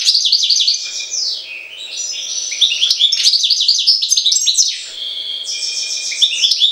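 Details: European goldfinch from Jagodina singing a fast, continuous twittering song: tinkling, liquid notes, buzzy trills and rapid downslurred chips that run together with barely a pause, over a faint steady hum.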